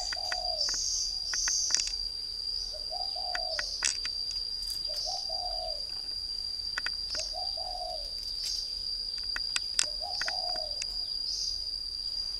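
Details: Caged spotted dove from northern Vietnam, a decoy bird kept three years, giving soft low cooing phrases repeated about every two to three seconds over a steady high insect-like whine and scattered chirps of other birds.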